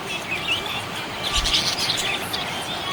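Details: Budgerigar chirping happily: a rising squeaky note early on, then a thick run of high twitters and chatter over a steady noisy background.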